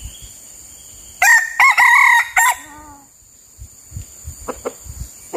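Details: Red junglefowl crowing during trapping with a decoy bird: a loud harsh crow of several strained syllables over about one and a half seconds, followed by quiet scattered clicks and a steady high background hiss.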